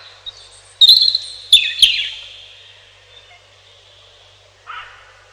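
A robin gives a short burst of high, thin, wavering notes that slur downward, followed by a brief lower note; there are faint clicks and little background noise.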